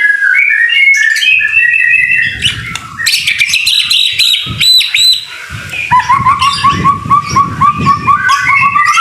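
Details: White-rumped shama giving gacor song in the rain: varied whistled phrases, then a steady run of rapid repeated chipping notes that rise slightly, over a low rumbling background.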